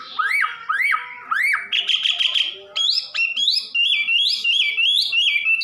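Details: Loud song of a wambi, an Indonesian songbird, starting with sharp upslurred whistles, then a buzzy trilled stretch, then a string of bright, steady whistled notes with little dips, given in quick bursts.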